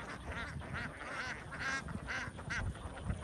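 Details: Young domestic ducks in a huge farm flock in Vietnam, raspy quacks bursting out in quick overlapping clusters over a steady low rumble.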